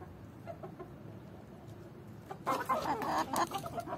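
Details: A Swedish Flower rooster courting a hen gives a quick run of throaty, mid-pitched clucks after a quiet start, with faint background rustle.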